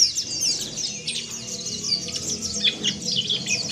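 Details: Warbling white-eye (pleci) giving rough twittering, known locally as ngeriwik kasar and used as therapy to make caged birds open their beaks and sing. Dense, rapid, high chirps and short trills run continuously, with faint low background noise.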